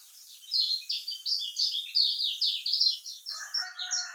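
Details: Kecial kuning, the lemon-bellied white-eye of Lombok, in a lure recording meant to coax lazy singers: a steady stream of rapid high chirps over a hiss, with a lower, rougher sound joining near the end.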